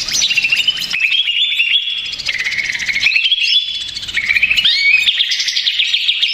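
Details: Agitated, stressed greater green leafbird used as a lure, delivering a loud, shifting stream of whistled and chattering phrases that jump between pitch levels, with rapid trills and mimic-like notes, brief pauses around each second.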